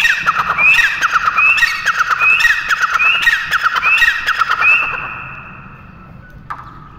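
A pheasant gives six harsh, squealing calls, each ending in a sharp upward note, about one every 0.8 seconds, then falls quiet; a single click follows.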